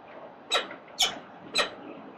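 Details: Peregrine falcons in Melbourne's city centre, Australia, on the morning of 4 October 2020; three loud, rasping screeches spaced about half a second apart over a faint hiss.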